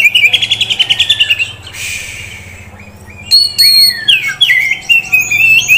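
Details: Bright chattering trill from a prospect Oriental magpie-robin offered in Kisaran, a brief rushing noise, then sweeping whistles and quick warbled notes.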